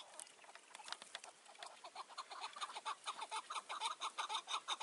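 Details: Chukar partridge on a mountain in June 2018 near evening dusk, during a trapping session with a decoy partridge; a rhythmic series of harsh clucking notes builds in loudness, about two per second, with scattered clicks early on.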